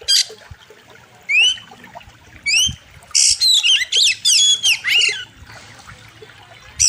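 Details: Oriental magpie-robin (kacer) master recording for training birds, wild river theme: two isolated rising whistles, then a fast string of loud buzzy squawks and slurred whistles lasting about two seconds.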